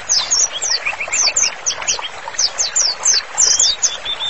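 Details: Energetic white-rumped shama song, a master recording for therapy training: quick series of sharp, high, downslurred chirps repeated in short clusters over softer mid-pitched whistles, lively and continuous.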